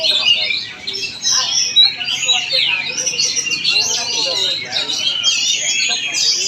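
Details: Oriental magpie-robin performing in Palangkaraya, Central Kalimantan, delivers rich, rapidly changing song: long pure whistles, rising and falling slurs and buzzy twitters, with some soft human voices in the background.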